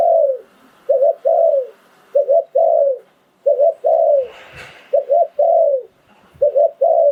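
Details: Spotted dove decoy in Thailand singing 'sai phon liw tan' style. Six tightly repeated phrases, each two quick coos and a long falling croo, with a brief rustling burst in the middle.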